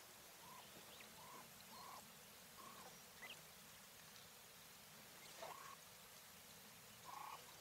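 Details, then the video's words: Coturnix quail, a female of the English White breed, uttering faint short calls at uneven intervals, one slightly higher note near the middle, against a hissy background. "Quail call sounds | Female / Hen"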